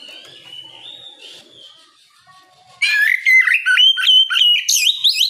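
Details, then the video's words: Morning ngeplong song of an Oriental magpie-robin, meant to lure rivals to reply: faint whistles at first, then a sudden loud burst of rapid, varied whistled phrases with sharp upward sweeps for about two and a half seconds. "Kicau suara burung Kacer ngeplong memancing lawan di pagi hari, sekali dengar langsung nyaut!"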